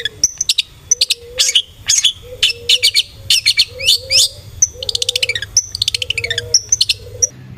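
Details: Long-tailed shrike (cendet) lure song intended to make a bird sing aggressively: dense, varied chatter of sharp high notes, short whistles and rapid trilled runs, with soft lower whistled notes between phrases.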